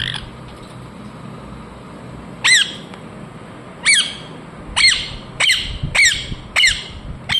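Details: Ringneck parrot with piercing descending screeches, silence at first, then a loud call, another after a pause, then a fast string of five harsh squawks, low background hum throughout.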